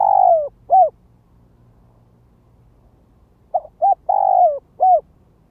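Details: Lure spotted dove on the ground, repeating its luring song: a long falling coo and a clipped note, silence of nearly three seconds, then a complete phrase of two quick notes, a drawn-out downslurred coo and a final short note.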